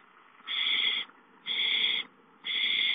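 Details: Owls at the nest when prey, a gopher, arrives; three steady, harsh, hissing screeches about half a second long, spaced roughly a second apart over a low background hum.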